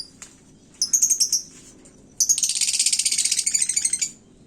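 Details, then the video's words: Caged lovebird hung up high, singing in a fired-up mood meant to rile other birds: a few sharp high chirps, then a long, rapid, buzzy chattering trill lasting almost two seconds. "Suara lakbet gantang panas, bikin burung lain emosi"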